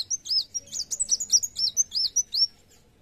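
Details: Kolibri wulung sunbird in energetic narung song, pouring out quick, high, looping whistled notes and clicks for over two seconds, then stopping.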